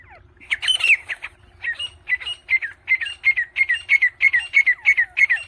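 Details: Grey francolin chicks, said to be fighting, giving rapid high chirping squeaks repeated about three times a second, each a short rising-falling note, with a faint low hum beneath.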